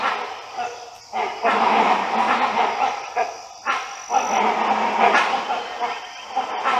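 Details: A flock of great hornbills moving between places in the Western Ghats, India, communicate with loud, harsh, barking honks in rough bursts about a second long, one after another with brief gaps.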